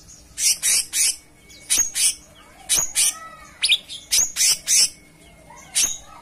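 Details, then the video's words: Cucak cungkok singing hard: loud harsh triple and double chirps in quick clusters, mixed with a few thin descending whistles, pausing briefly between phrases. "Gacoran Burung Cucak Cungkok Istimewa"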